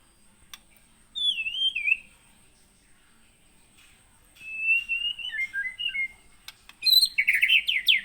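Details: White-rumped shama from Pining, Gunung Leuser area of Aceh, a bird trapped in the wild in 2017 and now kept, giving clear whistled phrases falling from high notes, then a pause, then a warbled run of short slurred notes and a burst of sharp chirps.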